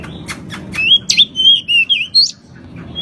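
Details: Pied bushchat in vigorous song for cage-bird training. Sharp clicks lead into a run of slurred, wavering whistles, over a low background rumble.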